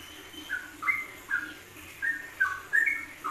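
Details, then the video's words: Yellow-vented bulbul ropelan singing, WK combination for songbird masteran: softer whistled slurs, mostly dropping in pitch, repeated every half second or so over a noisy low rumble. "Kombinasi Ropelan Trucukan WK untuk Masteran"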